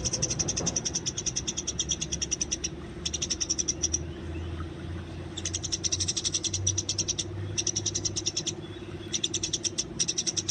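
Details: Fighting Eurasian tree sparrow in the wild, captured for training: repeated bouts of rapid, sharp, high chirping broken by brief pauses across ten seconds, with a low rumble in the background.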